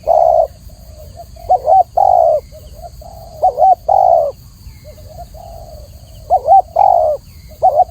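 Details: Clear song of a spotted dove: soft low coos alternating with loud phrases of a wavering short note and a longer level coo, roughly every two seconds, over quiet hiss.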